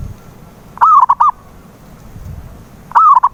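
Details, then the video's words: Zebra dove cooing as a lure for a silent dove: two phrases about two seconds apart, each a sustained gliding coo followed by a pair of short notes, over faint low background noise. "PANCINGAN SUARA PERKUTUT BISU"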